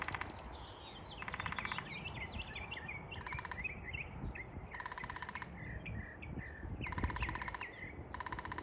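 Downy Woodpecker drumming in quick, even rolls under a second long, repeating every couple of seconds, over a busy chorus of chirping songbirds and low rumble.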